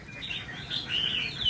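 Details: Brief lilting phrase from a trainee decoy red-whiskered bulbul, 'mí lửa' type, tested for fighting attitude; smooth rising-falling notes grow louder toward the close.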